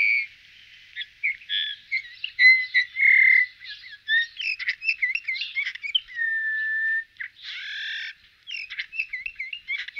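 A Eurasian bullfinch sings a continuous, varied warble of soft piping whistles, creaky twitters and short buzzy bursts, with a few longer pure fluted notes.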